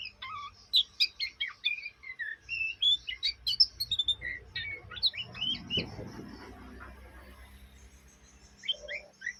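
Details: Chattering young Oriental magpie-robin, heard day and night: rapid scratchy twitters and whistles for several seconds, then a brief muffled rustling thud, quiet, and a last few chirps; low hum throughout.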